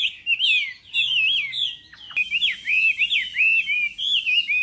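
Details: Morning training song of a Chinese hwamei in singing-contest style: looping whistled notes in quick wavy runs, an abrupt break midway, then a brighter, busier burst of varied phrases.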